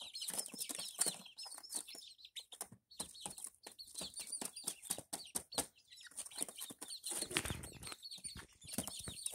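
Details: A small group of Barred Plymouth Rock chicks, about a month old, keep up dense, shrill peeping with overlapping short chirps, interrupted by a burst of rustling or scratching noise midway.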